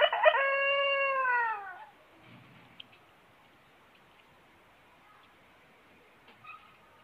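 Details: Close of a crow by a huge, persistently crowing rooster: a harsh start, then a strong held note that sinks in pitch and trails off, leaving a quiet room with faint noises.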